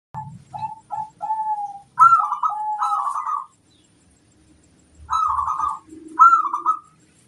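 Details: Zebra dove, a local bird, challenging rivals with its song. Soft short coo notes lead into longer, rolling, trilled coo phrases separated by a silent gap. Low thumping sounds come from nearby.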